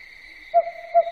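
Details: Two single mellow hoots from an owl at night, about half a second apart, against a steady thin whine.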